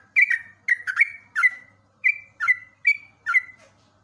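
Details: Trucuk, the yellow-vented bulbul, on a cage-bird training recording: clear bubbling two-note phrases with a falling whistled tail, about seven phrases spaced roughly half a second apart on a quiet background.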